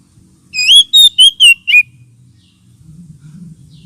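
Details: Lure call of an oriental magpie-robin, used also as therapy for birds lacking aggression: five quick, evenly spaced clear whistled notes, the last slurring down, followed by a low background hum.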